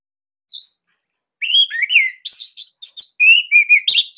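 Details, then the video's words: Orange-headed thrush from Bali, tight loud song used to train captive birds: thin high whistles, then rich slurred phrases mixed with buzzy bursts and rapid repeated notes. "Kicauan ANIS MERAH Ini Cocok Buat Masteran Burung Sahabat Dirumah."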